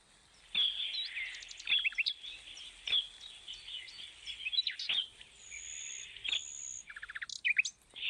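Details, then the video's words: Parrots chatter with bright, high chirps, sharp clicks and whistled notes, broken by quick rattling bursts and a few harsh squawks, over soft background noise. "Natural Parrot Sounds"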